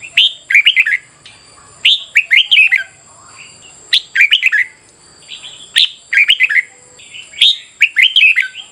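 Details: Red-whiskered bulbul singing in a morning session meant to spur competitive singing: short bursts of four or five bright, warbled, slurred whistled notes, repeated roughly every one to two seconds, over a steady high-pitched hiss.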